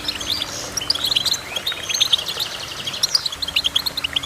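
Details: Goldfinch song, a lively run of sharp high chirps and short sliding notes. It begins as a dense twitter, then breaks into quick repeated pips toward the end over a soft constant hum.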